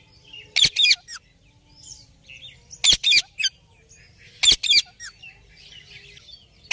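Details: Ringneck parrot giving clustered bursts of two or three piercing, harsh squawks roughly every one and a half seconds, with softer chirps and faint chatter between the bursts.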